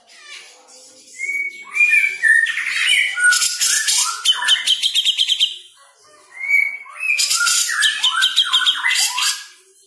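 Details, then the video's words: Songbird in a song-training recording delivering two long phrases, each opening with whistled notes and rolling into fast chattering, rattling trills before a short pause, the pattern repeated twice. "Jenggot Speed Rapet.."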